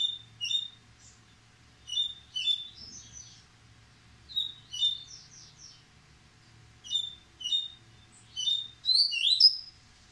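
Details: Coleiro baiano (Yellow-bellied Seedeater) named Paterno sings quick, high phrases of sharp chirps and buzzy trills, repeated every couple of seconds, described as singing faster each day.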